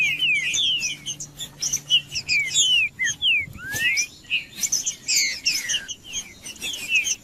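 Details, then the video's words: Caged green-winged saltator song played to warm up a bird: bright whistled and slurred notes, many rising and falling sweeps, in busy overlapping phrases with some buzzy high notes; other birds may be singing along. "ESQUENTANDO SEU TRINCA FERRO MELHOR VÍDEO PARA ESQUENTAR TRINCA FERRO FRIO COM TRINCA FERRO CANTANDO"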